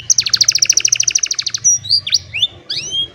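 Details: Old canary singing on a sunny morning, recorded by cellphone: a fast rattling trill of repeated notes, then scattered whistled slurs and rising sweeps, with faint low background hum.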